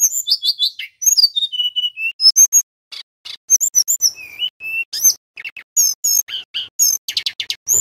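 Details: Male Sunda robin singing vigorously for use as a tutor for young magpie-robins. Short whistled phrases, some falling and some rising, mix with scratchy, buzzy bursts, broken by one brief pause near the middle.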